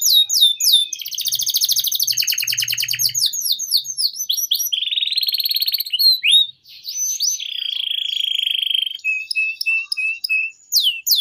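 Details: Canary with a long, vigorous gacor song used as a lure and tutor song for young canaries: rapid sweeping trills, then a steady buzzy roll held for about two seconds, then short high whistles; faint low hum early on.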